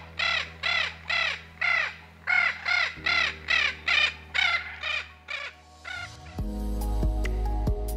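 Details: Spix's macaw (Cyanopsitta spixii), a Brazilian species extinct in the wild, gives about twelve harsh, grating squawks, roughly two per second, over a low hum; music takes over near the end.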